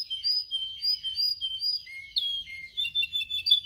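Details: Canary singing for song training: a steady series of high, clear whistled notes alternating in pitch, then a few lower slurred whistles and quick chirpy twitters.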